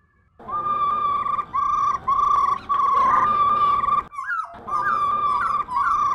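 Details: Female laughingthrush, a caged bird used to stimulate pet males to sing, giving long sustained whistled notes near one steady pitch, repeated in phrases separated by brief pauses, ending with short rising and falling slurred notes.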